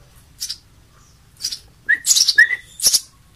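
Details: House sparrow chicks being hand-fed give short, harsh, buzzy chirps in quick bursts, with a few thin rising whistles between them.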